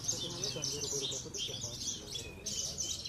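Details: Javan bush lark of the Parva type, a trophy-winning singing-contest bird from Cilacap, Indonesia, pouring out fast high chirps and buzzy trilled phrases in short bursts with brief dips, with quiet background voices.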